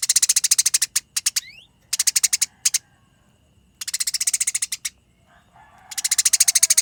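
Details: Eurasian tree sparrows fighting, with tight, fast volleys of harsh chirps, some bursts over a second long, broken by short silences and a quick upward slurred note.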